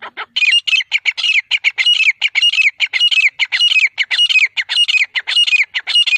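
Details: Grey francolin (desi teetar) calling in the jungle: loud, harsh, squawking notes fired in a fast, steady, unbroken run, roughly two per second, with no other sounds.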